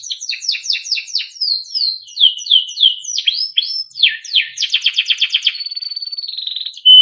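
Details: Timbrado canary, a small yellow cage-type songbird, performs a beautiful training melody: quick descending chip series, swooping slurred whistles, a dense rapid trill, then a long pure sustained whistle.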